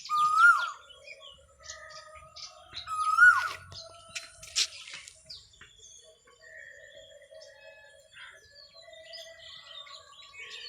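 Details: Asian koel giving two loud, clear whistled notes, each rising then briefly dropping, about three seconds apart, over a background of faint chirps and ticks from small birds.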